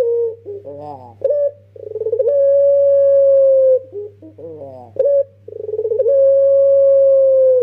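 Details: Pelung-style song of a young Barbary dove used to lure others. Two full phrases, each a rapid throbbing lead-in stretching into a long sustained hollow coo, with softer broken notes between them. A low hum runs throughout.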